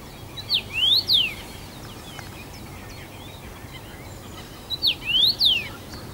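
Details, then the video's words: First-summer male Common Rosefinch singing from his regular branch in Bazel, Belgium, June 2015; two matching whistled phrases about four seconds apart, rising and falling slurs, with faint other bird notes between. "Common Rosefinch"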